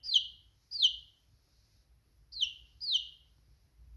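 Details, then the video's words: A chick gives clear high peeping chirps, each sliding downward, in two pairs separated by a pause. "Funny chicken sound || chick chirping"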